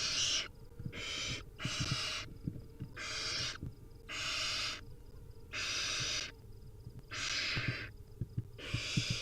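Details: Wild barn owl young calling at feeding time produce a long run of harsh hissing screeches, about one per second, mixed with thumps and scratching in the nest.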